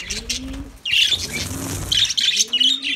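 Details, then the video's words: A short burst of loud, high lovebird chattering. Faint low cooing sits underneath. "Lovebirds Sounds Lovebirds Singing"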